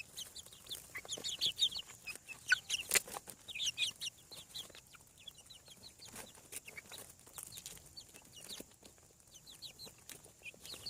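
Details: Newly hatched farm chicks peeping in a crowd, about one call per second overall, with high, brief descending cheeps densely layered, louder early then thinning, with tapping sounds.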